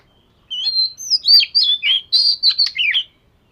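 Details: Fish-scale Oriental magpie-robin in daily song practice delivers a rich, fast phrase of about a dozen varied whistles, slurs and sharp chips, rising and falling, lasting over two seconds in quiet surroundings.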